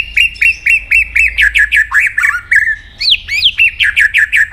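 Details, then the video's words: White-rumped shama in competitive singing, delivering a fast run of bright, evenly spaced hooked whistles, about two per second, then a rising swoop and a further string of repeated notes. "chòe lửa hót đấu đập đuôi căng lửa"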